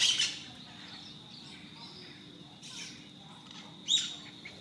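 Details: Dominican parrots from a raucous morning flock feeding in fruit trees; two loud harsh squawks, one at the start and one near four seconds, separated by quieter distant chatter and a steady insect drone.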